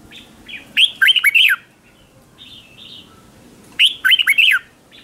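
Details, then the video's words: Red-whiskered bulbul used as a decoy, singing to draw wild bulbuls in a competition manner: clear, rippling whistled phrases with downward swoops, repeated roughly every three seconds, quieter warbled notes filling the pauses. "Tiếng chào mào mồi gọi là đến, Chào mào mồi gọi bổi không tạp âm"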